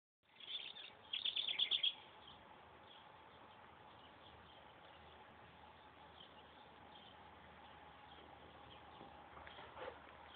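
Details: A pet Tufted titmouse being hand fed gives a quick burst of thin, high chirps in the first two seconds, then falls quiet over a steady background hum.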